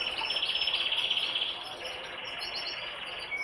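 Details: Brambling: a steady buzzy high trill of rapid notes that breaks after about a second and a half, then goes on more softly, ending in a thin high note.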